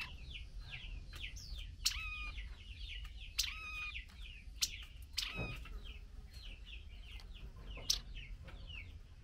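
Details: A female blue-winged minla, fed mealworms, calls to the male with rapid down-slurred chirping notes, broken by several sharp, loud clicks or taps.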